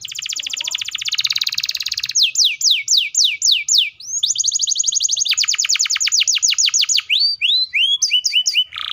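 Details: Canary in full voice with a long speed roll used as bait to make young or stuck canaries sing: a dense pulsing trill, descending sweeps, a second long rapid trill, then short scattered whistles.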